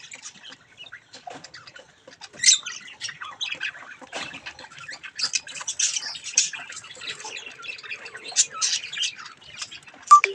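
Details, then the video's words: Baby budgies having mirror fun time, giving continuous, busy scratchy chatter with short sharp chirps and squawks throughout, moderately loud and uneven. "Budgies chick's mirror fun time"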